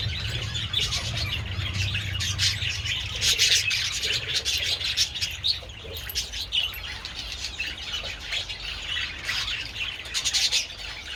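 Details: Several budgerigars with treats in the sun on 27 February chatter in dense overlapping chirps and twitters, with wing flutters among the calls.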